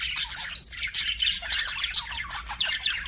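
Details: Pet budgerigar chirping: a dense run of quick, high, squeaky chirps and warbled notes, several per second, with irregular rhythm and short bright squeaks throughout.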